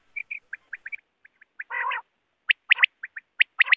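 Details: Quail call used for hunting: a run of short clipped whistled notes, one longer buzzy harmonic note in the middle, then louder sharp rising chirps in quick pairs and triplets, in a clean, quiet recording.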